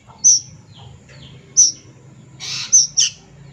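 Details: Juvenile plaintive cuckoo giving shrill, brief high squeaks, the last two in a quick pair, with a soft rushing burst between them and faint lower chirps.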